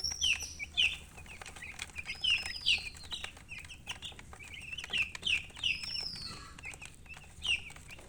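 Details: Young chicks give bright, piercing peeps, often in quick pairs, spaced about every half second to a second, with a few fainter longer whistles behind them and a soft background hum.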